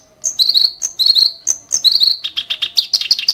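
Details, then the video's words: Ashy tailorbird giving sharp, harsh song bursts: high chirps and short whistled notes in quick runs, alternating piercing upper notes with slightly lower trills, ending in a dense rapid chatter; a faint low hum beneath. "burung KERAK BASI tembakan tajam & kasar"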